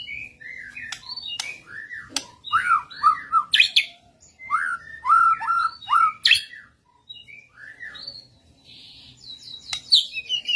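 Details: Shama fiercely answering another bird during a lure recording: a long varied song of slurred whistles and quick note clusters, punctuated by sharp clicks, with pauses between phrases.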